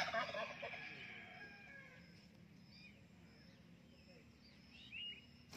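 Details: A pet rose-ringed parakeet (Psittacula krameri) talks in front of a mirror: a raspy, speech-like burst for about a second and a half, then a few faint high chirps and sliding whistles over quiet room noise.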